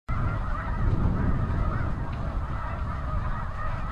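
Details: Thousands of snow geese all taking off at once from crops near the seaway at high tide in spring, recorded from a backyard with a Nikon D7000 and Azden SMX-10 microphone; a dense honking chorus over heavy low rumble of wings and wind.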